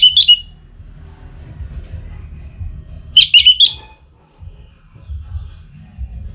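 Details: Orange-headed thrush, aroused for breeding and calling a rival, gives two short bursts of high, rapid twittering notes separated by about three seconds of low background hum.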